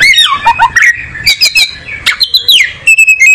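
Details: Oriental magpie-robin (kacer) singing: a fast run of whistled notes sliding up and down, with sharp downward sweeps and a level high whistle near the end, delivered in quick bursts with short gaps.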